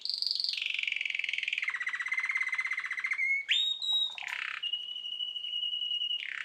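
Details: Canary around nine months old in full loud song, gliding from a high whistle into rapid rolling trills, then a sharp high note and a steady pure whistled tone.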